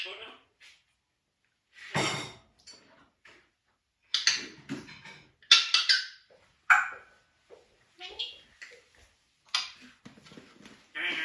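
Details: Pet African grey parrot indoors making chatter and squeaky noises: irregular bursts of short raspy squawks, creaky squeaks and brief whistled notes separated by silent gaps, in a quiet room.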